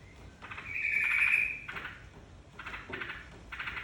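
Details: Yellow-vented bulbul song used as a lure to draw other birds into singing: bubbly, chattering bursts of notes with one drawn-out bright whistled phrase near the start, then short scratchy clusters repeated about every half second.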